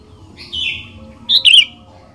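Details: Sooty-headed bulbul song used as a lure for other bulbuls: a softer slurred whistle, then two loud, quick burry notes close together, over a low background hum.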